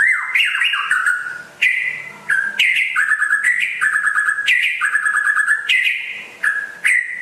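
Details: Energetic song of a rare white-rumped shama from West Aceh, a near-continuous stream of loud clear whistles alternating high and low, with rapid trilled runs and repeated two-note patterns.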